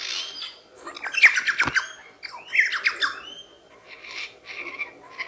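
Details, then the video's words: Australian lyrebird imitating sounds to win females, giving a jumble of harsh squawks, rasping bursts and slurred notes in quick, irregular runs, with pauses between phrases. "Lyrebird Mimic sounds"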